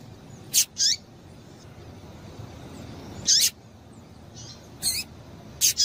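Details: High, clipped chips from a female double-collared seedeater, given to get males singing. The notes come singly or in quick pairs, separated by irregular pauses of one to two seconds, over a faint hiss.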